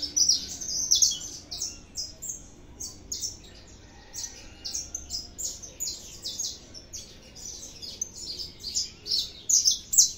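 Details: Canário da terra, the saffron finch, singing steadily: clusters of high, bright chirps and short trills, starting loud, easing off, then building again into dense phrases near the end.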